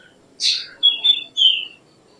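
Black drongo giving three quick notes: a harsh, broad chirp, then two clear, ringing whistles sliding down in pitch, all within about a second and a half.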